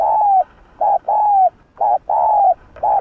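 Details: Spotted dove calling to stir up other doves: steady alternating short and long hollow coos with barely any pause, the long notes sliding slightly downward.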